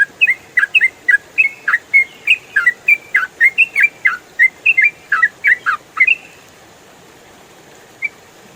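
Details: Trucukan, or yellow-vented bulbul, giving a rapid 'ropel' song meant for tutoring songbirds: a fast run of about two dozen liquid, chirped notes that bounce up and down for six seconds, then near-silence broken by a single short note.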